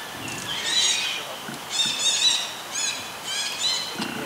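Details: A young Buffy fish owl practising hunting makes four loud, grating, wheezy calls with layered overtones, each under half a second, spaced about one second apart, over quiet rural background.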